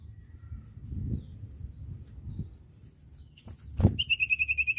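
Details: Common iora tutoring recording: after low rumbling background noise and a sharp knock, a short rapid trill of high, clipped whistled notes closes the passage.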